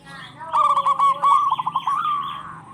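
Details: A single rolling run of quick cooing notes from a local zebra dove, part of birds calling back and forth to coax silent doves. It ends on a drawn-out, slightly rising note.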